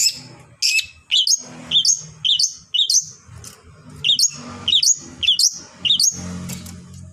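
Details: Long-tailed shrike song used to make other shrikes sing: repeated high, down-slurred whistled notes given roughly twice a second, each with a sharp upward flick, over soft low rumbling.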